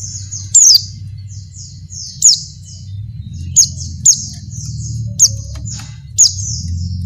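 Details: Oriental white-eye female, in breeding condition, calls to attract a male; six or so piercing high down-slurred notes at uneven spacing, with faint high twitters between and a low hum beneath.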